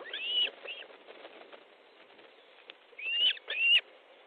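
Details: Osprey calling at a nest in Estonia at 19:30 on 13 July 2014 as fish is delivered; loud, sharp whistled notes, a pair at the start and two more near the end, arched and slightly downslurred, with a hissy background.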